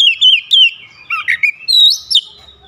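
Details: Oriental magpie-robin giving a varied, sharp song phrase with wide-open beak: sliding whistles dropping in pitch, a few lower warbled notes, then a long rising bright whistle.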